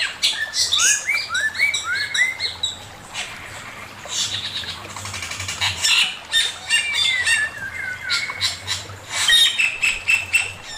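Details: Chinese hwamei male in master song: a fast run of upswept whistles opens, followed by dense scratchy chatter and harsh rasping bursts, then more slurred whistles near the end.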